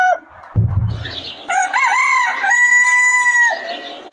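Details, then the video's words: Rooster on a chicken farm: a brief low rumbling thump, then a full crow with a wavering start and a long steady held note of about two seconds that drops at the end. "The Rooster's Crow: The Sound of a New Beginning"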